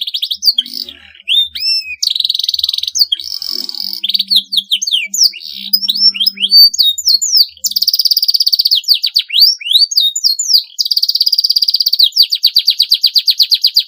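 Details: Domestic canary in full, sustained song said to push rivals to join in; sweeping whistled slurs alternate with long rapid rattling trills and chopped repeated notes, continuous throughout.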